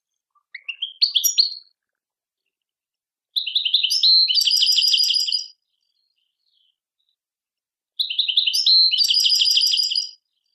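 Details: European goldfinch song in three phrases: a short rising twitter, then two longer bursts of rapid, liquid tinkling and twittering notes, each about two seconds, separated by silent pauses.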